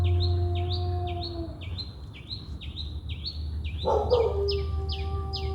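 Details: Birds chirping at sunrise, repeating quick high swooping notes about four a second, while a droning tone sits underneath and a louder wavering howl-like sound joins partway through, all over low background rumble.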